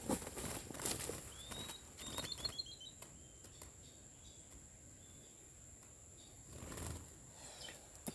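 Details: Chestnut-bellied seed finch (curió) delivering a short burst of clear whistled notes: a rising slurred whistle, then a quick run of rapid high notes, fading into softer whistles, over a steady high hiss with knocks and taps.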